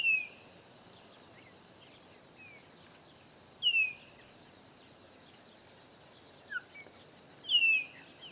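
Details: Chopi blackbird, part of a group of three visiting a rural property in Bahia's Caatinga; sparse loud descending whistles spaced about four seconds apart, with faint chirps between and a constant insect drone behind.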